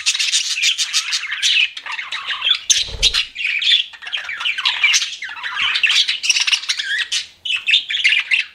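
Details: Chirping pet budgies pour out a rapid, excited warble of twittering notes and raspy squawks; a brief low thump or knock sounds near the middle.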